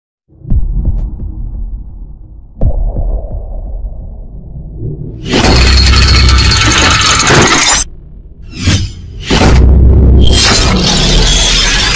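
Low thumps and loud bursts of crashing, shattering noise with some music, and no animal voice.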